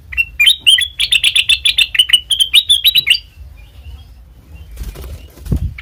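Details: Black-crested bulbul singing as a trapping lure, with a fast chattering run of bright chirps for three seconds, then quiet with a short rustling noise.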